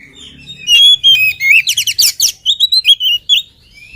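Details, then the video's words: Oriental magpie-robin, energetic and not yet fed, delivering fast loud song of bright whistles, buzzy rattling trills and quick repeated chirps packed closely together. "KACER GIRAS/GESIT BELUM MAKAN VOUR GACOR"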